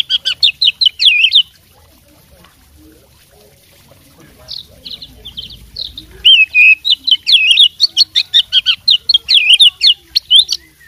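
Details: Fighter-type oriental magpie-robin singing vigorously with imitated phrases: a fast burst of rolling whistled notes, a softer pause with faint notes, then a long loud stretch of rapid, high, twisting chirps and trills.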